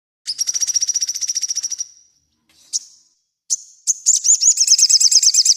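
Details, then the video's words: Sogon singing actively, a recording used as master song for training birds: a fast buzzy high trill of rapid repeated notes lasting over a second, then short sharp chips and a quick rising-falling warbled series. "Sogon Gacor cLasic masih TheBest"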